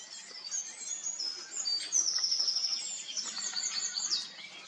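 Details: Young great spotted woodpecker begging loudly, beak open, as a parent arrives to feed it; high, rapid ticking chatter in quick bursts through most of the clip, with outdoor background noise.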